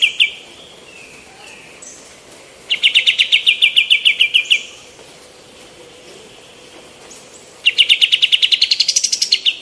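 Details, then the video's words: Female white-eared bulbul singing actively, used as a training recording for other songbirds. Two bursts of rapid, evenly repeated sharp notes, about a dozen each, with a quiet pause between them. A faint steady hum runs underneath. "KAPAS TEMBAK BETINA GACOR"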